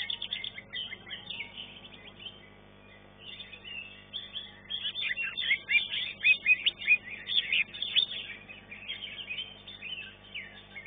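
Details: Green leafbird singing in a competition arena, placing third in its class; dense run of high chirps and whistled notes, burst-like, with a quieter stretch near two to four seconds before the chatter resumes more loudly.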